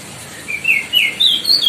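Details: Short burst of song from a White-bellied bushchat (Decu Timor), a Lesser Sunda bird whose loud song tutors other birds: three or four clear whistled notes rising in pitch.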